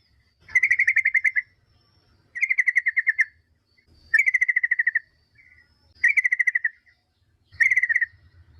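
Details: Yellow-vented bulbul lure song aimed at prompting other bulbuls to reply: five bursts of rapid, level chirping notes, each under a second, repeating roughly every two seconds with light low rumble between.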